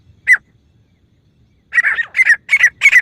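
A female grey francolin gives one harsh, scratchy note, pauses, then a quick run of four rasping notes about three per second. The background is quiet.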